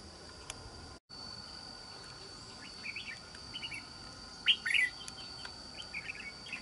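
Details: A red-whiskered bulbul caught from the wild for trapping, with a good island-forest voice, gives quiet scattered chirps, then one loud, bright, quick warbled phrase near the end over a steady hiss.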